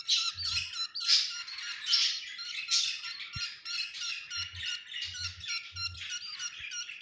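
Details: Budgerigar flock noise during egg hatching: loud harsh squawks and rapid chirps, unbroken for seven seconds, rising and falling in loudness, with occasional soft low knocks.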